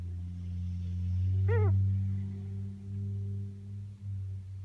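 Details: Female Ringneck dove, nearly a year old and kept as a pet, utters her strange vocalization once: a short rising-then-falling harmonic note lasting under half a second, over a loud steady low electrical hum.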